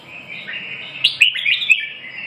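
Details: Red-whiskered bulbul singing: a soft chattering background gives way to several loud, sharp chirped notes in quick succession near the middle, sliding up and down in pitch.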